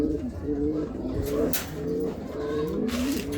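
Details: Racing pigeons give a run of low, throaty coos, several short rolling notes from more than one bird, with scattered bumps and clicks and a steady low rumble behind.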